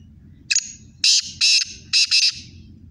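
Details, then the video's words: Two Sindhi black francolins compete in calling. A short sharp opening note leads into four loud rasping, buzzy notes, the last two close together. A low throbbing hum runs beneath. "Kale teetar ki khubsurat awaaz"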